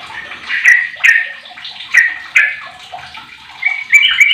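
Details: Song of a 15-year-old sooty-headed bulbul used as a lure to set other bulbuls singing: a series of loud slurred whistles about every half second, ending in a higher bubbling flourish, with sharp ticks.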